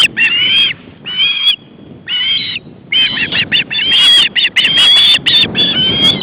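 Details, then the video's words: Three hungry young ospreys, two recently fledged, at an Estonian nest in August 2012 as the male brings fish: loud, harsh, repeated squealing begging calls, drawn-out then in rapid overlapping bursts, about one per second. "Three hungry ospreys"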